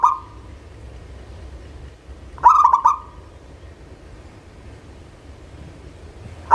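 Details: A local zebra dove sings as a lure sound to encourage lazy birds to sing. One full call of clipped stuttering notes runs into a soft, rolling coo, framed by the tail and start of neighbouring calls.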